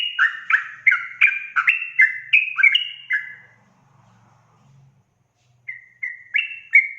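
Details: Energetic song of a yellow-vented bulbul meant to stir up other birds: a dense burst of chattering two-tone notes, a short lull with faint low murmuring, then a few clear whistled notes.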